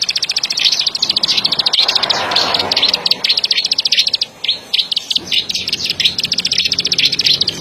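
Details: Fast, high, dry clicking from a plain prinia of rice, corn and sugarcane fields, running in quick series with a short uneven break midway, over a quiet low background.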